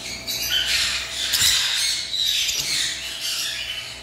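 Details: A continuous wash of shrill lovebird chirping and squealing, several birds overlapping in a busy, high, buzzy chatter with no quiet gaps.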